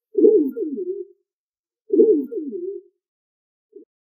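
A pigeon gives two low, rolling coos about two seconds apart, each a throaty burble lasting around a second, with a brief soft note at the end.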